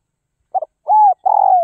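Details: Captive spotted dove from Northwest Vietnam, kept for taming, giving a short low cooing phrase: a brief stuttered note, a smooth slightly falling coo, then a longer wavering coo. The background is quiet.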